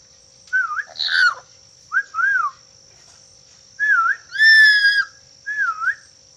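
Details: Black-capped lory giving a series of clear whistled notes, each a short wavering or rising-falling phrase, in five bursts over six seconds. One longer, louder, richer whistle comes near the middle. A steady high electronic whine runs throughout.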